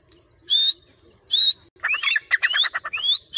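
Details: Grey francolin kept and trained by its owner, calling on cue. Two separate rising whistled notes come first, then a quick run of harsh stuttering pulses mixed with upward-sweeping whistles.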